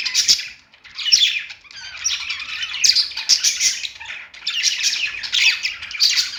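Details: Budgies warbling on their perch: continuous, busy chatter of raspy and squeaky notes in repeated surging phrases about a second long, with short gaps between bursts.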